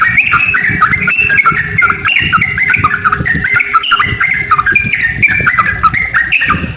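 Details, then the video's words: Sooty-headed bulbul in long, continuous lively song, used as a lure to make other bulbuls sing; dense, rapid run of overlapping bubbly whistled notes that rise and fall without a break, with low rumbling noise underneath. "trucukan gacor ropel panjang buat pancingan trucuk agar bunyi"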